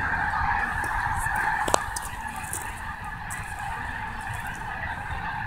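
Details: Snow geese at Snohomish, a large flock producing a dense, unbroken wall of overlapping nasal honks, with a sharp knock near the two-second mark and a steady low rumble underneath.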